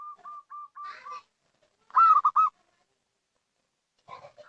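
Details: Local zebra dove giving a call used as a lure: a quick series of five short, even notes, then a louder, harsher three-part phrase after a pause, with a faint rough burst near the end.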